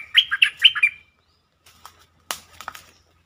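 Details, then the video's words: Bulbul song used as a lure to excite birds, a pleasing song style: a quick phrase of four rich, warbling whistled notes in the first second, then soft rustling and a few faint knocks. "เสียงนกดอกแตงEp.147 เปิดให้นกคึก เพลงดีสำนวนน่าฟัง Suara pikat merbah lekir"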